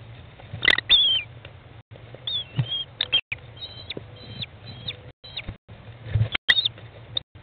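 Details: American kestrel mother feeding 15-day-old chicks in a nest box, 20 May 2011 at 13:54; high, thin wavering calls come in short bursts among dull thumps and scraping inside the box.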